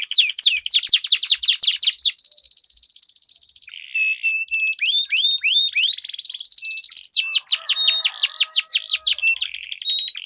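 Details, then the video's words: Canary song used to train competition birds: a long fast trill, a pause of scattered whistled slurs, then renewed rapid rolling chirps. "Duel Burung Kenari Suara Merdu Ngerol Panjang || Pancingan Ampuh Kenari Macet Gacor Ngerol Panjang"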